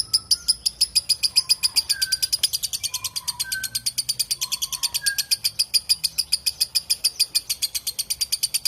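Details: Lovebird chattering in a long, clear ngekek: a steady stream of rapid, piercing chirps, while a few lower short whistles from another bird sound faintly during the first half.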